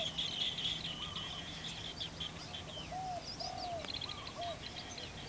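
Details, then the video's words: Flock of green bee-eaters calling: many overlapping short rolling trills and chirps at a high pitch, continuous chatter throughout, with a few lower clear whistled slurred notes mixed in and a faint steady hum in the background. "ฝูงนกจาบคาเล็ก Green Bee eater"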